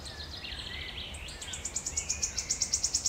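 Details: A wood warbler singing in Djurgården, Stockholm on 5 June 2021: very high, thin ticking notes come faster and faster into a shivering trill, after softer warbled notes from other birds, over a low background rumble.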